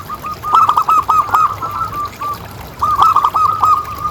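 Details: Zebra dove, local type, cooing in rapid soft bouncing notes. Two long strings of notes are linked by fainter calls, for playing to other doves so they keep calling.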